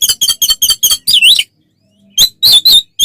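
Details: Loud fighting song of an oriental magpie-robin, used as a provoking lure: a fast regular series of ringing chips ending in a wavering rasp, a pause, then more sharp chips.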